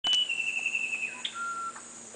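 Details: Musician wren (Cyphorhinus arada) song: pure, flute-like whistles, a long steady high note then a lower sustained tone, over a constant high insect hiss.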